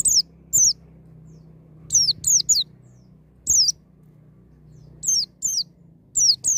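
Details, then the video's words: White-eye singing wild style to trigger a young bird's song: scattered high, piercing downslurred whistles, singly and in pairs, over a faint low hum. "BURUNG PLECI NGALAS NEMBAK,MEMICU PLECI BAHAN CEPAT NGALAS BUKA PARUH"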